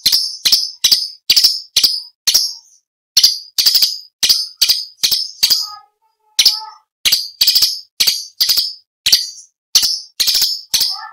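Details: Orange-bellied leafbird song used as competition training material for other songbirds: a fast series of sharp, clicking, high-pitched notes, each a brief burst, delivered about twice per second with a short pause midway and a few lower chattering notes.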